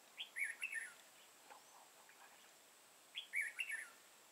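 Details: Trapping session for red-whiskered bulbuls, a crested bird with a dark bib, 31 March 2018: two quick, chirpy, rising-and-falling whistled phrases, each a cluster of four or five notes, about three seconds apart.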